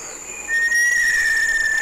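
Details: Little Tinamou (23 cm), San Cipriano reserve, very humid tropical Chocó forest, Valle del Cauca, Colombia, about 200 m elevation: one long, pure, steady whistle sliding very slightly downward, held over a second, over soft hiss.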